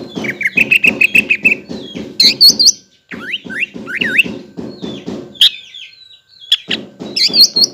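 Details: Greater green leafbird lure song meant to make untrained and communal birds sing: chirp bursts and sweeping whistled slurs over a regular low thumping pulse.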